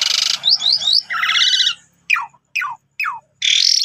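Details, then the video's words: Asian pied starling (jalak suren) lure song: harsh buzzy bursts and quick upslurred whistles, then three clipped descending notes spaced about half a second apart before a final harsh burst. "Cukup 3 Menit Saja Jalak Suren Bakal Nyaut Dan Ikut Gacor Dengan Pancingan Jalak Suren Ini"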